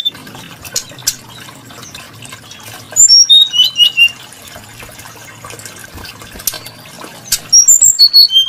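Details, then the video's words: Brown-chested jungle flycatcher, known for a varied and melodious voice, giving bursts of clear high whistled notes that step downward, around 3 s and again near 7.5 s, over a steady low hum and trickling water-like background. "Burung srdc menarik Hati pendengar nya"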